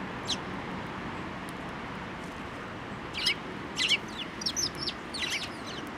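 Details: At a Tenmangu shrine feeding post on 25 April 2024, sparrows give a single early chirp, then after a quiet stretch a quicker series of sharp, high chirps, somewhat distant, over soft background noise.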